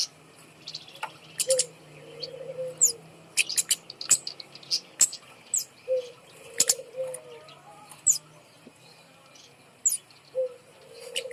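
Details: Caged kemade bird hung up high, its song used to coax lazy birds into singing: scattered sharp, high chips and quick ticking bursts mixed with brief, soft, low gurgling phrases recurring every few seconds.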